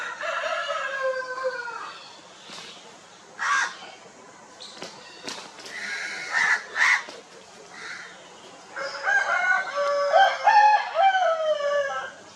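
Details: Italian and desi chickens on an Indian poultry farm, dust bathing, preening and establishing territories: a drawn-out crow opens, scattered clucks and thumps follow, then a long, strong crow near the end.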